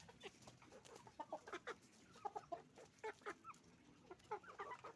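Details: Hens and roosters at a chicken farm, repeated short clucks and squawky notes in uneven bursts over a constant low hum.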